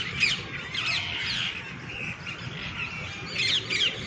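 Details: Green parrots with red beaks perched together at the top of a tree in the evening, giving sharp, harsh chirps and squawks in short bursts over a steady background hum.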